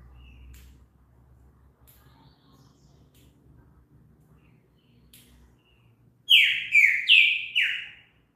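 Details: Green-winged saltator song played to encourage another bird to sing: after six seconds of near silence with a low hum, four loud, quick, descending whistled notes follow one another closely.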